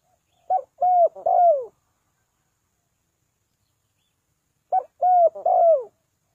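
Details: Spotted dove giving a three-note cooing call meant to lure birds down. Two identical phrases about four seconds apart, each a clipped opening note and two drawn-out, gently descending hoots, with silence between.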